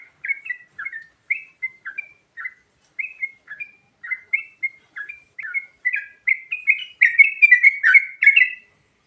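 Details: Lure recording of yellow-vented bulbul varied song: lively chattering warbled phrases at more than two per second, growing louder and denser toward the end, where faint sharp clicks join in.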